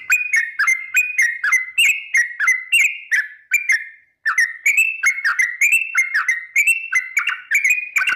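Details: Female trucuk, the Sooty-headed bulbul, sings a 'ropel panjang' lure song to set other birds singing: steady chains of quick, down-slurred whistled notes about three per second, one short break midway.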